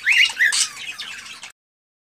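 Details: Excited male cockatiel breeding song directed at a female: two brief whistled, slightly rising notes followed by a harsh rasping screech and fading chatter, then silence.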